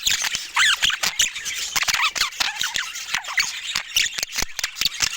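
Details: Budgies giving warbling chatter, quick rising and falling squeaky notes with scattered sharp clicks and taps between calls.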